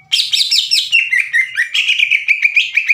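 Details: Caged greater green leafbird singing loudly and aggressively, challenging other leafbirds to fight: a fast, varied stream of sharp chirps, slurred whistles and rough bursts at high pitch, dense and continuous for three seconds.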